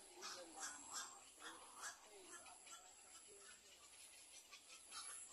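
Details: Little egret back at its nest caring for four young: a quick run of short, harsh, rasping notes, about two or three each second, over a steady high hiss.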